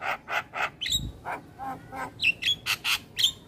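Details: Javan myna singing a varied, phrase-rich training song: rough, buzzy chattered notes followed by sharp high whistles and short slurred squeaks at an uneven, brisk pace.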